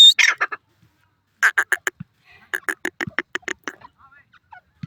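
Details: A partridge, described as an Iranian teetar, gives harsh, grating notes in quick runs: a brief burst, then two rapid series of eight to ten clucks each.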